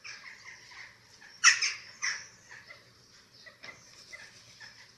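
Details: During chick feeding at a Eurasian eagle-owl nest webcam in Germany, 27 March 2024: one sharp, loud rasping shriek and a second harsh burst, followed by quieter scattered squeaks and hiss.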